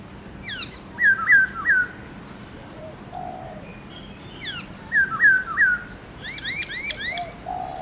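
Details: Black-throated laughingthrush, kept as a songbird, singing a many-voiced 'forest voice' song in the morning. Sharp downslurs and three bright looping whistles come twice, with a soft low note and quick rising chirps between.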